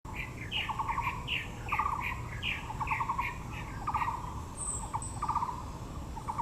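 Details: Taiwan blue magpies at Yangmingshan National Park, Taipei, among azaleas, give harsh, rattling chatter in quick bursts about once a second, with a steady low rumble of wind behind and a brief high note from another bird.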